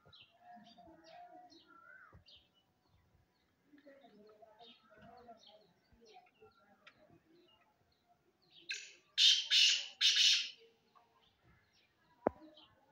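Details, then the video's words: Black francolin giving a loud, rasping call of three or four harsh buzzy notes near the end, preceded by faint distant chirps and murmuring background sounds, with a sharp knock afterward. "Black Francolin Voice Kaly Teetar Ki Awaz Kala Teetar"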